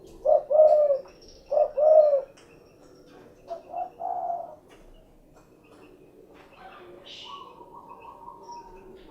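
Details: Spotted dove cooing: two paired phrases of a short coo followed by a longer, arched, mellow coo, then softer quick coos; a faint, higher bird call and a thin steady tone follow in the background.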